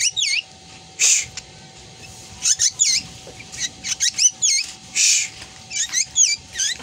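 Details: Black drongo, said to mimic a cat's meow among its other calls: a rapid string of high, sharply bending squeaky notes and harsh bursts, with a steady background hum.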